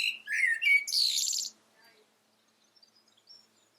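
A common blackbird gives a few short, thin notes, then a harsh, scratchy chatter lasting about half a second. Only faint, scattered high ticks follow.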